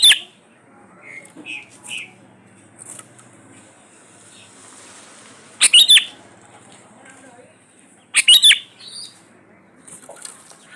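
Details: Lively Sooty-headed bulbul played to draw song from quiet birds: a few soft whistled notes early on, then two loud, buzzy chattering bursts about two and a half seconds apart over a faint hiss.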